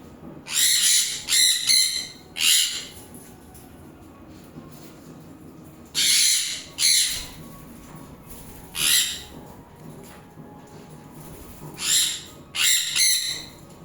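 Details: A pet sun conure being hand-fed gives loud, harsh screeches in short bursts, often doubled, with pauses between.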